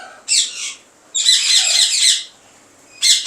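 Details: Colony-kept rose-ringed parakeets (ringnecks) at a breeding farm in Kot Addu, Pakistan, in 2022, said to breed easily in the colony. Three harsh, screechy squawk bursts, the middle one longest, over a quiet room background.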